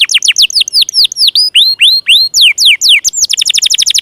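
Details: Singing canary, played to prompt stalled, lazy or juvenile canaries to sing, delivering clear swooping whistled notes that slide down then level off, ending in a quick rattling trill.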